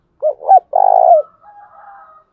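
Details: Spotted dove cooing to draw in other birds: two short low hoots, the second swelling upward, then a sustained trembling coo, followed by a quieter faint murmur.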